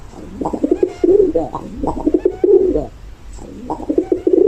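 A dove gives soft, low, rolling coos in short repeated phrases.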